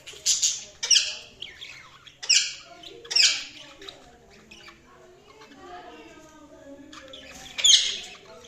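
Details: Budgerigars chirping: bursts of loud, harsh, high squawky chirps clustered at the start and end, with softer warbling chatter in between.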